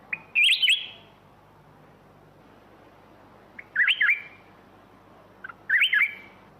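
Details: Three bright, warbling whistled phrases from a black-crested bulbul, each opening with a brief note and spaced by roughly two to three seconds of quiet.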